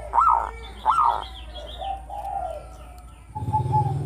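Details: Local Zebra dove from Java, singing melodiously as a lure for other birds: two loud arched cooing notes, then softer warbled notes and a steady lower hum near the end.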